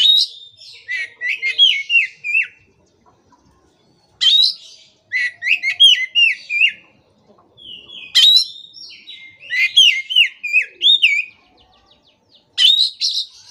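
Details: Oriental magpie-robin in vigorous full song, for prompting silent, stressed magpie-robins to resume: rich phrases of rapid whistled notes that slur downward in stepped sequences, about three long phrases separated by short pauses.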